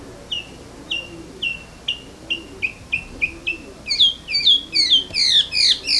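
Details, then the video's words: Bird singing in the morning: a run of short downslurred chirps about every third of a second, growing into louder, faster, richer notes near the end; faint low hum beneath. "Bird Singing"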